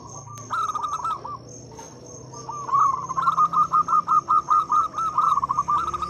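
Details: Local zebra dove, loud and strong-voiced, used to call companions and stir quiet doves to sing: a fast rolling coo phrase, a pause, then a long run of regular short cooing notes, with a steady high-pitched hum behind.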